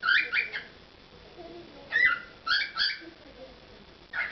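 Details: Pet cockatiel performing: short clusters of harmonic whistled notes separated by pauses, with faint low murmuring in the background.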